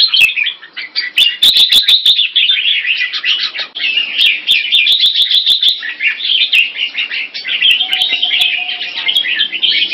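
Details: Red-whiskered bulbul (jambul) singing in a Singapore competition: a long flowing stream of cheerful chirps and warbles, accompanied by many rapid clicks early on and a faint steady tone later.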